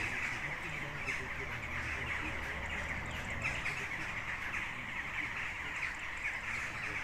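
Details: A flock of western jackdaws near a historic tower keeps up steady overlapping short, sharp 'chack' calls while a woman talks over them; jackdaw calls.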